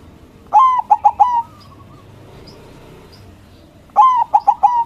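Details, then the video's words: Local white zebra dove singing loudly so rival doves answer: two cooing phrases of a long note and three quick short coos, separated by a pause with faint soft sounds. "Perkutut Putih Gacor Suara BESAR bikin Cepat Emosi Lawan Auto Nyaut Seketika"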